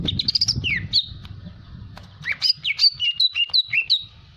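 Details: Energetic greater green leafbird song used to provoke singing: bright, high whistled notes sliding up and down, a quick rapid phrase, then a run of about a dozen clear varied whistles, low hum behind.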